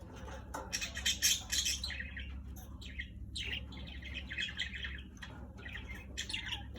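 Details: Budgerigars playing outside among lemon grass chatter in quick, scratchy chirps and squawks, overlapping in a busy, uneven stream.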